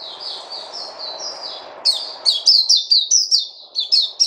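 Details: Kept songbird starting with softer drawn-out high notes over a low background murmur, then breaking into loud, quick, repeated up-and-down whistled phrases.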